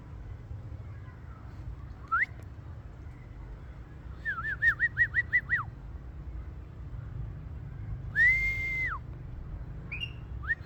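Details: Ringneck parrot talking: scattered rising whistles, then a fast burst of clipped whistled syllables, followed by one long level whistle that drops at its end, against a constant low hum.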